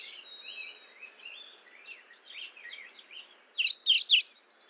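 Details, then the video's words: Mourning warbler calling: a background of many soft, chirping birds gives way to three loud, clipped high notes in quick succession at the end. "Mourning warbler Calling."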